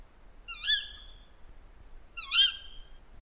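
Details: A female Tawny Owl gives two shrill, harsh calls, higher than the male's and recalling a little owl's, about two seconds apart, each a high, strained note that sags at the end, over a quiet background.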